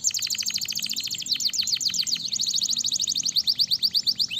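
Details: Canary singing to stimulate other canaries, continuous high rolling trills that shift speed and note shape several times, rapid ticking notes throughout.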